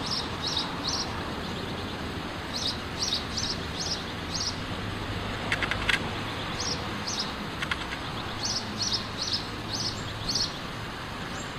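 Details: House sparrow calling outdoors, short bright chirps repeated in loose bursts of two to four, with a steady low rumble of background noise and a few faint clicks.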